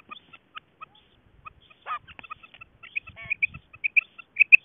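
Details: Female quail associated with quail hunting: sparse, short high notes at first, then a brief rustle, building to quicker paired chirps that grow louder toward the end.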